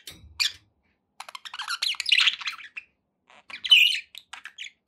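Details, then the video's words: Budgerigars kept as pet company give short chirps, a buzzy warbled phrase, a pause, then another bright chirping burst. "9 hours of budgie sounds to keep your pets in happy bird company"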